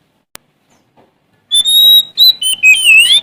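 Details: Sumatran Oriental magpie-robin in full song, looking for a rival: after a click and a few faint ticks, loud pure whistles follow, a long steady note, then short stepped notes and a wavering trill.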